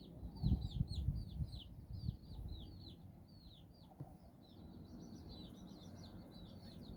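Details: Nine chicks walking with their mother hen in Bizkaia, Basque Country, exploring and playing; a quick run of high, falling peeps fills the first three seconds, then fainter scattered peeping over steady low rumble, with a few soft thumps early on.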